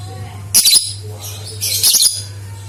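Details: Shrill lovebird chatter meant to stir other lovebirds into song: a quick burst of harsh, squeaky notes, a pause, then a second scratchy burst, a steady low hum throughout.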